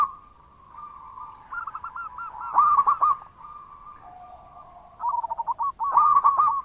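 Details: Actively singing local zebra dove with a loud voice: soft trilled cooing builds into a loud rolling burst, then a lower quiet phrase and another loud burst of coos.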